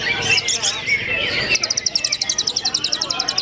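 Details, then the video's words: Greater green leafbird singing in a simulated songbird contest with a full row of hanging birds, dense song: bright warbled phrases at first, then a fast, even run of sharp ticking notes repeated about four times a second. "CUCAK IJO MU KONSLET MATERI FULL GANTANGAN CUCAK IJO MATERI RAPAT"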